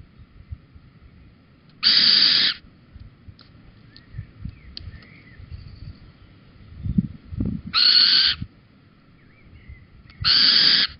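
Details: Little owl pair at Holten, 4 May 2020, 21:16, the male bringing a cockchafer; three loud, coarse half-second calls, the first followed by a long gap, then two about two and a half seconds apart, with faint rustles between.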